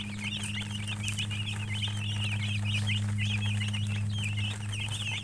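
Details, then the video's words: Hen-coloured chicken chirping busily: rapid, high, wavering peeps in a near-continuous chatter with brief gaps, each note a quick slurred squeak, while a constant low hum drones underneath. "silly chicken chirping sounds with murgi hen color chicken"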